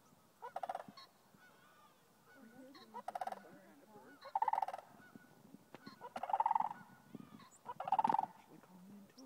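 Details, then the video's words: Sandhill cranes call from one group to another in a field near Rio Grande Nature Center State Park, Albuquerque, New Mexico, on 18 November 2012. Loud, rolling, overlapping trumpeting bursts come about every two seconds; Canada geese and a ring-necked pheasant are also audible. "Sandhill Cranes Calling"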